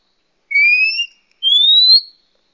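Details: Female Oriental magpie-robin call meant to attract males and lure wild birds: two drawn-out pure whistles, the first lower and gently rising, the second higher and rising further, with a short gap between them.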